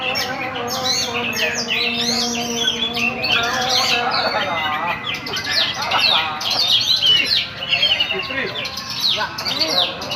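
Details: Perched Oriental magpie-robin, Raja Ampat type, singing vigorously: quick rising and falling whistled notes and chirps packed closely together, louder passages near the end, over a low steady hum.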